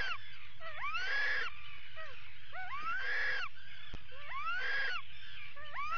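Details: Atlantic puffin calls at a burrow during an attack, recorded by a live burrow camera in July 2019; short upslurred notes lead into louder rising wails with gritty, noisy tails, three bursts in quick succession.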